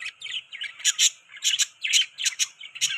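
Budgerigars chirp and chatter in quick, scratchy bursts, high and warbling, with several short notes each second and no other sounds.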